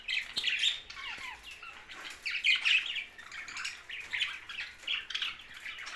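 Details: Several budgies keep up a continuous warbling chatter, rising and falling in loudness, with scratchy squeaks, short whistles and brief flutters among the overlapping calls.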